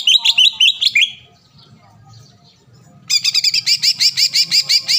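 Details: Green leafbird song played as a lure to make rival leafbirds sing at once and become agitated: ringing whistled notes, a quiet pause with faint low hum, then a rapid, steady series of bright chattering notes.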